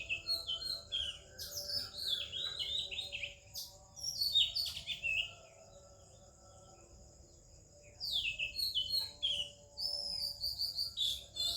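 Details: Melodious morning singing of an Oriental magpie-robin in India, with other birds: bursts of varied whistles and quick chirped phrases, a pause of about two seconds, then more lively phrases. A faint steady high hum runs throughout.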